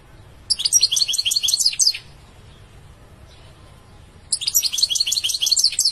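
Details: European goldfinch song: two dense bursts of fast high twittering, each about one and a half seconds, separated by a long silent gap.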